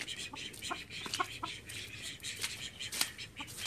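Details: Call ducks from a flock of thirteen kept at home, giving a rapid series of loud, harsh, high-pitched quacks, several overlapping in quick bursts, with a steady low hum underneath.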